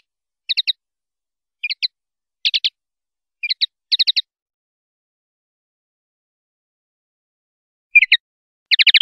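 Common linnet giving short bursts of dry, twittering notes in quick groups of two to four, with pauses between phrases; no other sounds.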